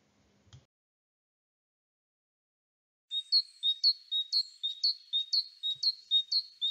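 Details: Great tit in Central Europe, a common garden bird whose ringing song heralds spring: a ringing, repeated two-note 'tee-cher' phrase, about two notes a second, high and bright, after a brief soft knock at the start.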